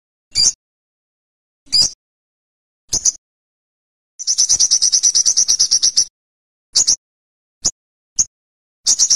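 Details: High-pitched song of an Olive-backed sunbird: scattered thin, sharp chips separated by pauses, broken by one long, fast, buzzy trill lasting about two seconds, then more chips and a short trill at the end.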